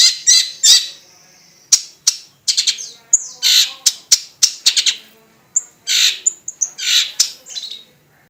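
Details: Varied song of a long-tailed shrike, a rapid jumble of grating squawks, short ticking notes, slurred descending whistles and brief high piping phrases, delivered in uneven bursts with short pauses between them.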